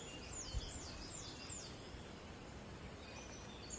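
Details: A marsh tit at dawn in late April, in a Cumbria woodland nature reserve, gives a quick run of high, thin, swooping notes, about three in a row, then fainter tones, over a steady low rumble of outdoor noise.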